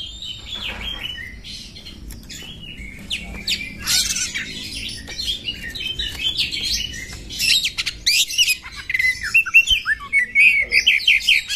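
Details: Female oriental magpie-robin used to stir a male into tail-fanning fighting display; busy, fairly distant chatter of scratchy notes and short whistles, growing louder and more rapid toward the end.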